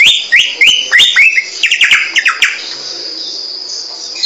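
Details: Samyong bird song: a quick series of bright, short descending whistles, about ten notes in two seconds, then trailing off into a steady high hiss.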